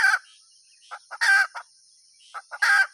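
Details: Hen with short cackles: a loud squawk, a pause, quiet clucks rising into another harsh squawk, then a third, with a faint high whine throughout.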